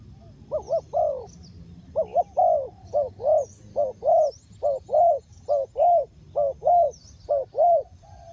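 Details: ['Spotted dove calling as a lure for trapping birds: low, mellow cooing phrases of two or three notes, repeated steadily about once a second, with faint high chirps of other birds behind.']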